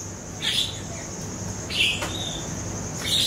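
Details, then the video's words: Lure recording of siri-siri song for training songbirds: three crisp, high chirped notes about 1.3 seconds apart, set against a sustained thin high whine and quiet low hum. "PANCINGAN SIRI-SIRI BAHAN DI JAMIN NYAUT"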